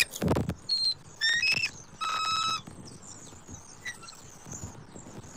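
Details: Bald eagles at a nest in Southwest Florida on 29 October 2024, the male delivering food gifts to the female. Thin, harmonic, whistled call notes rise in short chattering bursts after a thump. Faint high chirps follow.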